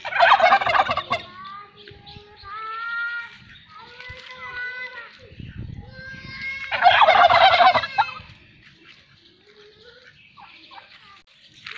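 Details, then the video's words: Farm-kept turkey responding to people shouting takbeer: two loud rolling gobbles about six seconds apart, with several shorter harmonic yelps between them. "Tarki Murgi Palon Voice Suny, tarki birds, turkey bird sound"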